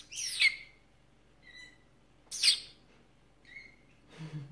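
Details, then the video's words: Pet female canary calling while interacting with her owner, recorded 25 February 2018: two loud, bright chirps about two seconds apart, each followed by a softer short whistled note, with faint low rustling at the end. "Kanarie Henne Peach im Gespräch mit mir"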